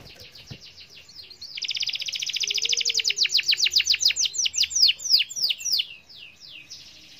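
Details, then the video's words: A canary sings a lure song meant to get silent canaries singing: a rapid, buzzy high trill breaking into quick downslurred whistles, about three a second, ending in a brief roll. "Pancing kenari dengan ini dijamin kenari bisu ikut gacor"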